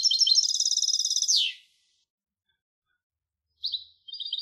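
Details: European goldfinch hybrid singing: a fast, bright, twittering trill of repeated high notes ending in a downward slur, then silence and two short chirpy bursts. No other sounds.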